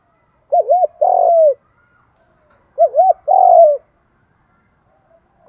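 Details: Spotted dove in the 'đồng thổ' fighting voice, cooing to call wild doves in quickly. Two matching phrases roughly two and a half seconds apart: two quick looped notes followed by a longer drawn-out descending coo.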